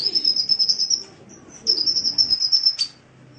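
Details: Caged sunbird on a training recording for cage birds. Two high, thin trilled phrases, each a quick rippling run of sharp notes lasting about a second, with a short pause between them. A final bright upward flick ends the second phrase.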